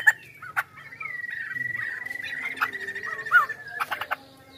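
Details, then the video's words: Chinese hwamei song built on a sustained, even whistle lasting about three seconds, punctuated by sharp clicks at the start and a quick downslurred note near the end. "POKSAY HONGKONG GACOR DURASI PANJANG"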